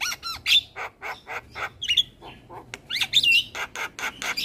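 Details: Javan myna in master song for tutoring other birds, a steady stream of short harsh squawks with occasional pure whistled notes sliding up and down.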